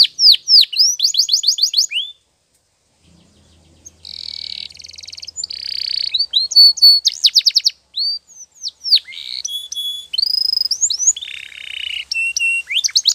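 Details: Canary song used for training, made of fast rising-falling whistled sweeps and rapid rattling trills in varied phrases, broken by a short pause and a faint low hum.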